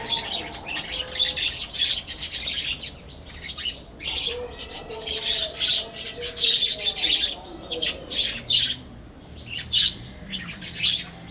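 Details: Kept budgerigars in a breeding colony aviary: waves of squawky chirps and chattering warbles from several birds, rising and falling in loose bursts, with occasional brief lulls and a soft hum beneath.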